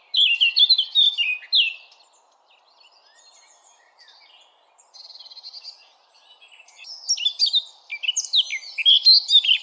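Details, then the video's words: Blackcap bursts of loud mixed warbling separated by quiet gaps, one passage of evenly repeated buzzy notes, then an energetic chattering finale of sharp rising and falling notes. "Blackcap Song"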